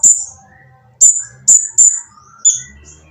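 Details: Rough-voiced oriental magpie-robin whose noisy song is meant to draw other magpie-robins into singing. It gives a few loud, piercing high notes about half a second apart, with faint lower whistles in the background.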